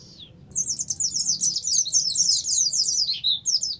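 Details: Oriental white-eye singing in the 'ngalas' style, used as a lure to prompt kept birds to sing: a fast, continuous, high twittering of sliding chirps, starting after a brief opening note with faint low hum underneath.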